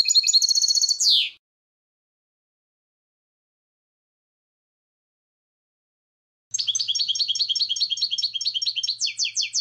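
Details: Goldfinch recorded for goldfinches gives a twittering phrase ending in a falling slur, pauses several seconds, then launches into a fast trill of repeated high notes.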